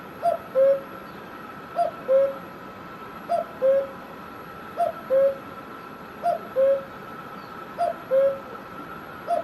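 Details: In Himachal Pradesh, India, a cuckoo repeats its mellow two-note call, high then lower, at a regular pace of roughly every one and a half seconds, six times over, against a constant low hum.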